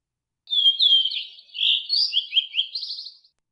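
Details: A blue-and-white flycatcher sings a longer phrase of high, sweet whistled notes, slurring up and down and closing with a rapid trilled buzz, with no other sounds.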